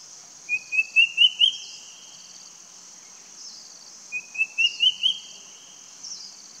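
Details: Square-tailed Drongo-cuckoo at Phong Nha, Vietnam, March 2023, giving two runs of five clear whistled notes, each climbing step by step in pitch, over a steady high insect drone.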